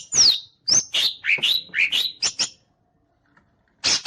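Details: Loud, ringing whistled notes from a green leafbird fanning its tail: a high descending slur, then rising and falling fluty phrases in quick succession, a pause, and a closing burst of chips.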